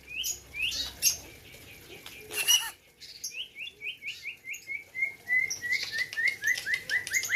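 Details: White-rumped shama from Gayo land, Aceh, singing at a 2021 bird competition: loud mixed phrases, then a long run of short rising whistled notes repeated rapidly, about five per second, with broadband crackling bursts.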